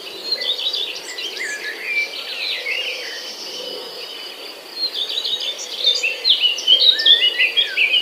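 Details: Nestlings alone in the nest while the mother forages, producing clustered high chirps that swell into a louder, rapid chattering burst toward the end, with an insect drone running throughout.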